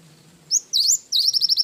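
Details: Lively cinereous tit song used as a masteran recording, wingko-filled gacor style: a short high slurred note, a longer swooping phrase, then a rapid run of clipped, ringing high notes.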